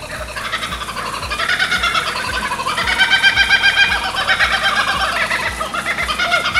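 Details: Australian kookaburras calling outdoors beside an aqua fitness class, said to be laughing; a raucous cackling chorus of harsh, rising and falling notes runs throughout over a steady music beat.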